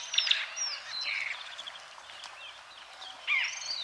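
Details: White-fronted bee-eaters in Kenya: brief high chirping call notes, a sharp cluster at the start and another burst near the end, with quieter scattered chirps and a soft background hiss between them.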